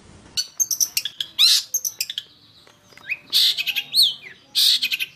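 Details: Long-tailed shrike song used as a lure recording for training birds: a varied run of sharp chirps, harsh bursts and rising slurred notes, delivered in quick clusters with short pauses.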